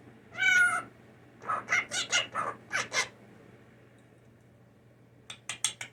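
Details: Hand-reared indoor blue jay, a mimic of human sneezing and phrases, opens with one loud harsh rasping note, follows with a rapid series of raspy chattering calls, then after a pause a quick run of sharp clicks.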